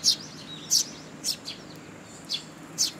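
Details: Sparrow fledglings come to be fed by their parents at a Tenmangu shrine, July 2, 2022; loud, high, piercing chirps every half second or so, with softer chirps in the gaps.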